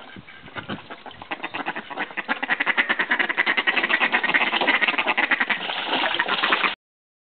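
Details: Call ducks, or bantam mallards, in Australia during flirting and mating; loud, rapid nasal quacking that speeds into a steady, regular series of about three calls per second, then stops abruptly.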